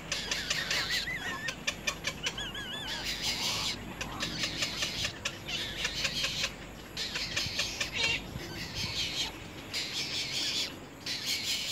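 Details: Little egret nestlings bite their mother hard. Bursts of rough, hissing chatter come in uneven waves, and wavy whistled phrases from another bird can be heard early on.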